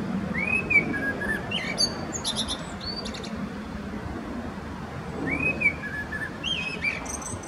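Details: Male common blackbird singing in Zurich canton, Switzerland, on 21 February 2017, a singer with many song patterns; whistled phrases with rising and falling notes, each ending in high squeaky twitters, two phrases about five seconds apart over low background noise.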